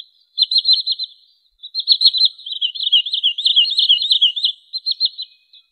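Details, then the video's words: Wood sandpiper call played as a trapping lure: loud, rapid high whistled notes in dense bursts, a short pause, then an extended excited run of chattering, slightly wavering notes tapering off near the end. "SUARA BURUNG TRINIL SAWAH COCOK UNTUK MIKAT atau PIKAT"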